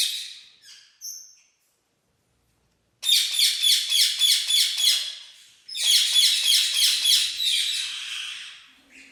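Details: Domestic Red-rumped parrot of the lutino orange color form gives two bursts of fast, sharp, high chirps, each lasting a couple of seconds and repeated several times a second, separated by short silences, with a few faint notes at the start.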